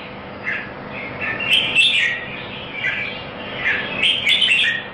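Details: At a Singapore singing competition, a red-whiskered bulbul gives clear warbled phrases with bright, high whistled notes, separated by short pauses, over constant hiss.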